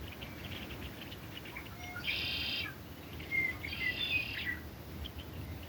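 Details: Red-winged blackbirds in Russell County, Kansas, on 4 March 2023: two harsh buzzy trills about a second apart over scattered high chips and thin whistles from other birds, with steady background noise.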